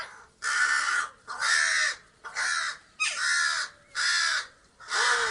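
A crow gives six harsh, raspy caws, each about half a second long, spaced roughly a second apart in a steady series.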